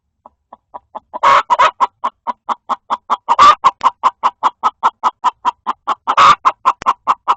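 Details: Hens inside a coop, filmed by a camera there, one laying an egg while another comes in and seems to scold her: rapid, evenly spaced clucks about four per second, broken by louder, harsher squawks.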